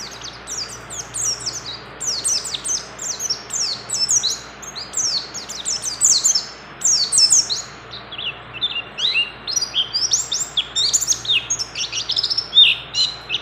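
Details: Female mountain white-eye in breeding condition calling to a male: dense high chattering of short downslurred chirps and twittering phrases in uneven bursts, with brief pauses between runs.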